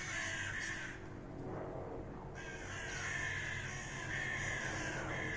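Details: Ravens, common raven, scuffling: loud hoarse calls briefly drop away after the first second, then resume as overlapping raspy croaks in quick succession.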